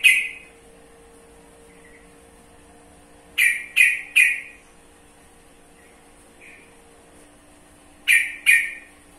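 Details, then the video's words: Sooty-headed bulbul (trucukan) giving loud, sharp bursts of notes, a single call, then a triple at about three and a half seconds and a pair near eight seconds, against a faint steady hum. "Mengenal Karakter Suara Burung Trucukan"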